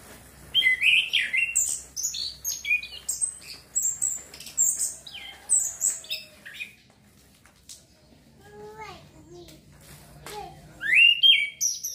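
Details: Song of an Orange-headed thrush, played to encourage breeding urge: rapid high chirps and warbled whistles for the first seven seconds, a lull with a few softer descending notes, then a loud whistled burst near the end.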